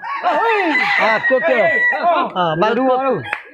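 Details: Red junglefowl in a crowing contest judged on the number of crows in a set time; loud, harsh, arched crowing phrases follow one another quickly and overlap between birds, with a sharp click near the end.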